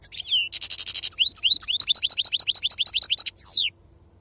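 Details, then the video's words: Caged wild-type European goldfinch of the Serfati song style, delivering a fast twittering song: downslurred whistles, a buzzy rattling trill, then a run of rapid rising chirps, ending with a sweeping slurred note before falling quiet. "أفضل تغريد بندوق حسون خلوي أصيل"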